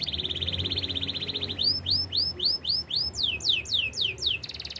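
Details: Canary song: a long rapid buzzy trill held at one pitch, then a series of repeated sweeping whistled notes dropping in pitch, about four per second, finishing with fast rising-and-falling rolled phrases; faint low hum beneath.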